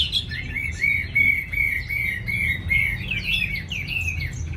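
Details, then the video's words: Eager-singing caged Chinese hwamei in Hanoi delivers a steady stream of wavering whistled notes, pulsing several times a second, with brief higher flourishes between phrases and a constant low hum behind. "mi hót mau mỏ"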